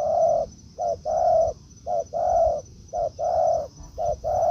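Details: Spotted dove cooing in forest, decoy and wild bird encountering each other: loud, low, hollow notes in short-long pairs, about four pairs with even spacing, faint rumble beneath.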